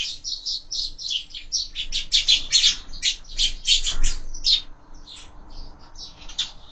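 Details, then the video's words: Sparrows feeding at a window-mounted feeder at breakfast, fed year-round; a busy stream of short, bright chirps and tweets overlapping rapidly, about three per second, thinning out toward the end. "Воробьи в кормушке - Завтрак"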